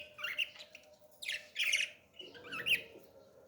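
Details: Young parrot squawking while being fed: three raspy, noisy bursts, the middle one loudest and longest, separated by brief pauses, with a low steady background hum.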